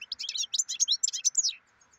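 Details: Dense, continuous twittering of a European goldfinch: quick, high, jingling notes and slurred trills packed closely together for about one and a half seconds before stopping. A low steady hum is heard throughout.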